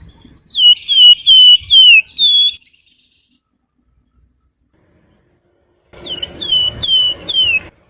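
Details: Flowerpecker (flamboyan) in lively song with nyiul and nyuling whistling: a series of clear high whistles, each sliding downward and repeated about twice a second, then a pause and another run of whistles over a buzzy trill.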